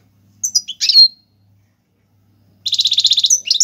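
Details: European goldfinch, Algerian, singing a tiwawati galoubi and serfati style song used to teach young birds: a high twittering phrase, a pause, then a fast buzzy rattling trill that ends in sharp chirps.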